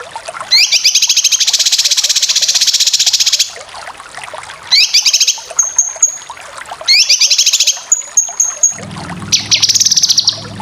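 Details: Cucak kinoy song for training competition birds, with long bursts of rapid buzzy high trills broken by short pauses and thin whistled notes, and a low hum near the end.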